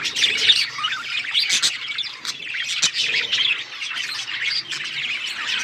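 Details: Budgerigars kept as pets produce a steady twittering chorus of high chirps, squeaks and rolling warbles, with a few sharp clicks standing out.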